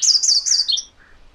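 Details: MacGillivray's warbler song: a quick run of about five high, slurred, repeated phrases that drops to a couple of lower notes at the end, lasting under a second against a quiet background.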